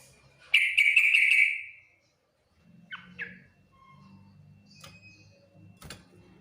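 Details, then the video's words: Yellow-vented bulbul giving its full 'ngriwik nguplik tuklik-tuklik' song, said to draw quick replies from other bulbuls: one loud bubbly warbled burst lasting over a second, then faint short notes over a low background hum. "Suara Burung trucukan Full Ngriwik Nguplik Tuklik-Tuklik, paling cepat di respon trucukan lain"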